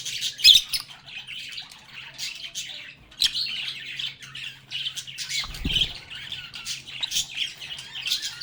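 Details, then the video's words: Lovebirds singing, playing and talking together: a dense, continuous stream of overlapping high chirps, twitters and sharp squawks from several birds, with brief louder bursts, a low steady hum underneath and a dull thump near the end. "Lovebirds agapornis sounds | Relaxing Sounds of Singing, Playing, and Talking Parakeets"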